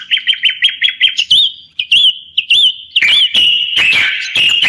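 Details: Common bulbul song opening with a quick run of about seven short rising chirps, then several looping fluty whistled notes, ending in a dense, loud, warbling phrase crossed by sharp clicking sounds.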